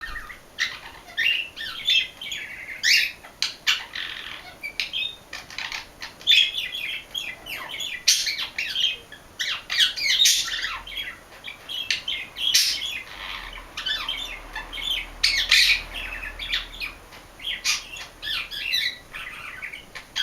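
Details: A male pet budgerigar getting ready for a siesta warbles a steady, high stream of chirps, squeaks and clicks, imitating his best friend, an Indian ring-necked parakeet.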